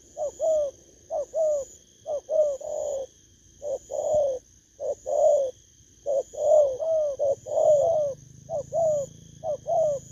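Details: Newly caught spotted dove giving dense runs of soft hooting coos, some closely overlapping, in irregular bursts, with a low rumble near the end and a thin electronic hum.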